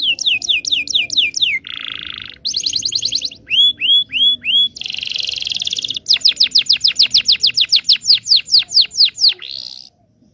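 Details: Canary long song meant to teach young canaries: falling whistles, a low buzzy rattle, a bright trill, rising hooked notes, a harsh buzz, then a long string of rapid downslurred whistles and a final trill.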